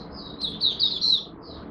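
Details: Kept Malaysian oriental white-eye (mata puteh) warming up for the day with a short, loud burst of high, shimmering, rapidly slurred twitters that rise and fall in quick succession.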